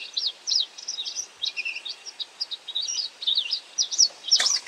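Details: White wagtail calling while foraging for insects: rapid, uneven series of high chirping and twittering notes, about two per second, ending with a sharp click-like knock near the end.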